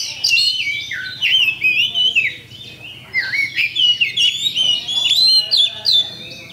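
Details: Pancingan song of a champion Oriental magpie-robin, used to set birds fighting: fluid, looping whistled phrases that dip and climb, broken by brief pauses, over a soft steady low hum.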